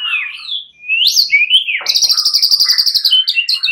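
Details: Fighter-type white-rumped shamas answering one another in agitated, loud song: sweeping whistled notes rising and falling, then a fast, even buzzy trill held high and repeated about three times per second, ending in short whistles.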